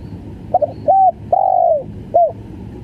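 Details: Spotted dove in the stuttering gagap full style: a quick doubled note, a flat short coo, a long slurred coo sliding down, then a short hooked closing note.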